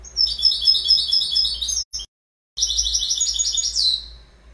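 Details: Goldfinch singing a rapid, tinkling twitter of high, liquid notes run together in a long phrase, a brief break near the middle, then a second bright burst ending in a falling slur.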